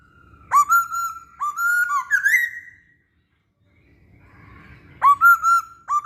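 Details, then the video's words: Masked laughingthrush song used as a lure for other birds: a phrase of rising whistles ending in a buzzy slur, a silent pause, then the phrase starting again. "Burung Poksay Hongkong Gacor"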